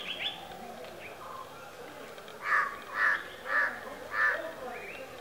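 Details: A White-bellied woodpecker (Dryocopus javensis) behind a house in Kammardi village gives four loud, harsh, evenly spaced notes about every half second, after softer chirps and faint background calls.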